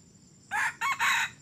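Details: Red junglefowl only three weeks into crowing, a decoy bird for catching wild junglefowl: a brief rasping crow in three bursts, the final one longer and strongest, with soft background insect buzz.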